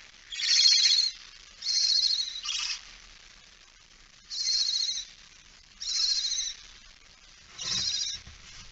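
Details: Early-morning barn owl with a mouse, 17 September 2019, 06:11: six rasping breathy hisses in uneven succession, the last one followed by a soft rustling thud.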